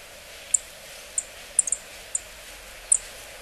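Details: Yellow-throated bunting giving sparse calls: brief, very high, needle-thin tsip notes, some doubled, spaced about half a second to a second apart against quiet low hiss.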